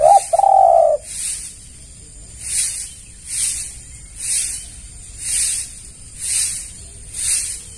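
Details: Spotted dove calling as a lure for other doves: one short coo and then a long even coo at the start, followed by steady rhythmic hissing bursts for the rest.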